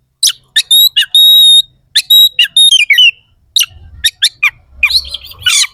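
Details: Oriental magpie-robin in strong song, with harsh, sharp phrases used as mental conditioning so rival birds sing harder in contests: short sweeping whistles, a long steady whistled note, then descending slurred notes and scratchy bursts.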